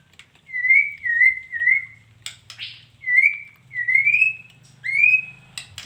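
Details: Female white-rumped shama giving clear, drawn-out whistled notes in short groups of two or three, each slightly rising, with brief pauses and a few faint clicks between.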